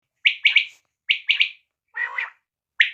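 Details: Local quail calling: short, bright chirped notes in quick groups of two or three, repeated after brief pauses, with one lower, rougher note in the middle; otherwise quiet.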